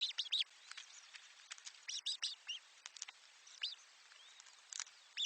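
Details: Parent birds bring food to chicks in their nest; many short, high, sharp chirps and tweets in rapid irregular bursts, some with quick rising or falling sweeps, over quiet background.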